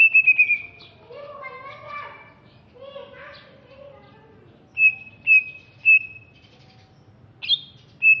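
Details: Greater green leafbird originating from Alas Purwo, Banyuwangi, East Java, gives rapid whistled notes, then softer, buzzy, lower warbled phrases, followed by evenly spaced loud pure whistles about every half second and a sharp upslurred chirp.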